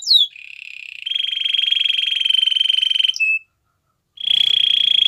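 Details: Belgian canary training song: a falling whistle leads into a long buzzy rolling trill, a short clipped note, a brief silence, then the steady roll starts again.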